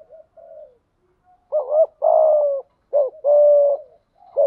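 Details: Decoy spotted dove cooing to attract wild doves. Soft murmured coos give way to loud paired phrases, a short rising coo followed by a long sustained coo, repeated twice in a quiet setting.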